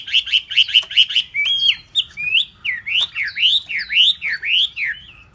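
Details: Caged hwamei that has been sold opens with a series of five quick identical notes, then delivers a run of bright, upslurred whistled phrases repeated roughly twice a second.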